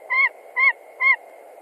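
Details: White-tailed eagle screaming at its nest in Latvia when a stranger, probably a young eagle, visits: three short, bright yelps about half a second apart above a low steady hum.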